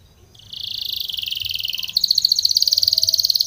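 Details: Spanish Timbrado canary training song: a loud rolling trill of rapid pulses slides slightly downward, then changes to a higher, harder metallic trill repeated many times per second.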